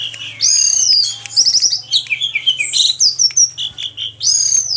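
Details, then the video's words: Post-moult orange-headed thrush delivering loud, varied song: high whistled sweeps, rapid trilled clusters and mimicked chirps in quick succession over a steady low mechanical hum. "Anis merah Si petir pasca mabung"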